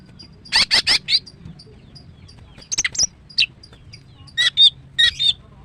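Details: Female greater green leafbird singing in the morning, with dense chattering bursts of rapid notes separated by quiet gaps, some notes whistled and twisting.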